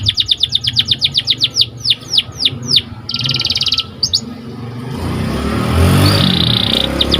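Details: Canary song for training: long string of rapid descending whistled notes, a buzzy rolling trill, then fading tones as broadband rushing noise rises.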